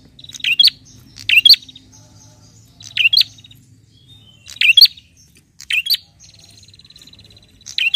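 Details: A bar-winged prinia calls toward a rival, giving bright doubled chirp bursts roughly every one and a half seconds, linked by soft buzzy trilled notes, over a quiet low background hum.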